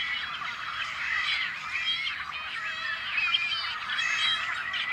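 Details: Many Tricolored Blackbirds at an on-farm nesting colony in California's Central Valley, May 2012, calling together in an unbroken wall of reedy, nasal squawks and buzzy notes, with an occasional clearer twang rising above the mass.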